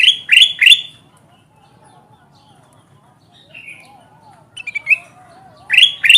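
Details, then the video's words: Bulbul (kutilang emas) lure call, used to draw wild birds toward glue-stick traps: two loud, sharp chirps at the start and two at the end, each a bright rising note with buzzy overtones, with softer warbling notes in the quiet middle. "SUARA PUKAT BURUNG KUTILANG EMAS GACOR PALING AMPUH"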